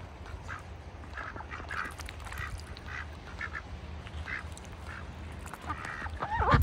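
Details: Ducks kept in a bucket on a farm in wintertime, giving soft, short quacking calls in loose bursts, some overlapping, over a steady low hum.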